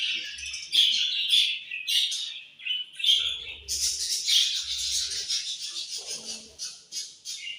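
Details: Budgies indoors in the morning, several birds chirping continuously: rapid high twittering notes and short sweet warbles run together in dense bursts, with a faint low hum now and then.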